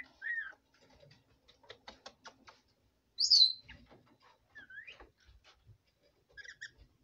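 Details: Female pet red lorikeet's bedtime jabber: whistled downslurred notes, a rapid series of clicks, one loud shrill squeak, then more slurred whistles and soft chirps in a quiet room.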